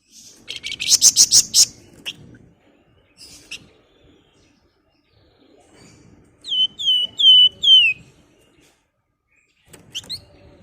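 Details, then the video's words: Flamboyan female calling a male in ngebren and nyiul styles: a fast buzzy chatter, a few chips, then a series of four clear, down-slurred whistles, with a couple more short notes at the end. "Burung Flamboyan Gacor Ngebren, Nyerecet Nyiul"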